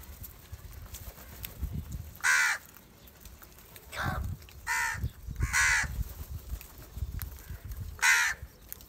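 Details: Angry house crows gathering and fighting over rice food give harsh, hoarse caws at uneven intervals, about five loud calls spread through the clip, with low rumbling noise and scattered softer sounds underneath.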